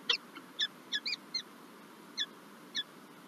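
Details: Peregrine falcon at its nest in Lublin, Poland, 9 March 2024, after the first egg was laid; a handful of thin, sharp chips spaced irregularly against a hissing background.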